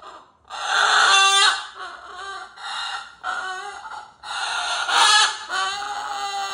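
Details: Pet cockatoo making its mock "roar" inside: a string of hoarse, gasping squawks, some loud and grating, some softer and nasal, with brief pauses between them.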